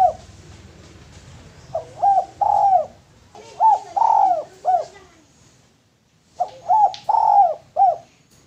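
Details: Male spotted dove calling for use as a lure, repeating its cooing phrase three times with pauses: short hollow coos around one long drawn-out note, over a faint low hum.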